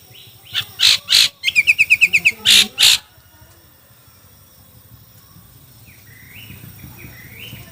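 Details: Chinese hwamei in a song contest gives a short burst of sharp notes followed by a rapid trill of about eight clipped chirps, then falls quiet apart from faint distant whistles.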